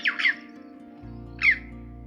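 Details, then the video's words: Red-billed chough, an inserted reference call for birds sought at St Agnes Head, Cornwall, giving three loud, ringing 'chee-ow' calls, two close together then one more after a pause, over a steady low background hum. "And of course we hear the amazing chough call as well, and we might insert one just so you can hear it."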